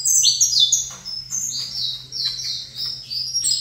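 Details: Canário-da-terra, or Saffron finch, placed in front of a second bird, delivering a quick run of high, clear whistles. Downslurred and level notes are strung together in bursts, over a faint constant low hum.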